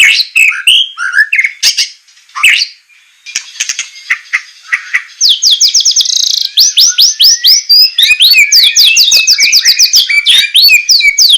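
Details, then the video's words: Song of a white-rumped shama recorded to train caged birds, semelet style with harsh shot-like notes: varied whistled phrases, then long runs of fast repeated rising notes at about four per second. "masteran besetan murai suara semelet suara pedas tembakan kasar"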